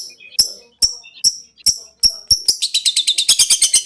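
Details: Long-tailed shrike, cendet konslet style, master song for training: evenly spaced sharp high chips about twice a second, accelerating into a fast metallic rattling trill.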